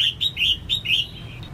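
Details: Female red-whiskered bulbul giving a brief string of five or six clear, slurred whistled notes, falling slightly in pitch, meant to stimulate males to sing. A faint hum sits underneath.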